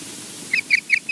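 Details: Osprey at Loch Garten, Scotland, recorded by a wildlife camera, giving a rapid series of three to four clipped, high whistled chirps that grow slightly louder, with soft hiss behind.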